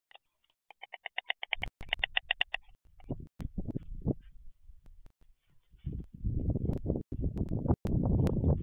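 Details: White storks courting at the nest, 11 June 2023: a quick series of evenly spaced harmonic knocks early on, then loud dense rattling clatter with broad low rumble and handling noise.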